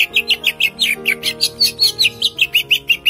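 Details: A trained captive greater green leafbird pours out a long, unbroken roll of high, slurred chirps, about five notes a second, over soft background music.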